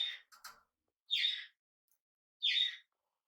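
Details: A tame, hand-reared young budgerigar on its first day at home calls in short harsh chirps, two brief notes then two louder raspy calls spaced about 1.3 seconds apart, in a quiet room.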